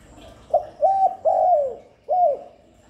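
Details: Spotted dove call played to lure and stimulate doves: one clean phrase of four mellow coos, a short opening note, a level hoot, a long downward-sliding coo, then a brief closing note, in near silence.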